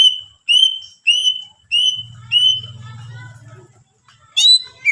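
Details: Greater green leafbird in full song aimed at rousing other leafbirds: five clear, slightly rising whistles spaced about half a second apart, then soft warbling over a low hum, ending with sharp sweeping notes.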